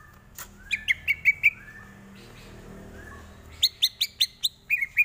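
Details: Greater green leafbird song used as a tutor for training: sharp high chirps, then a run of quick repeated whistled notes, a quiet gap, and another fast burst of bright rising-falling whistles near the end.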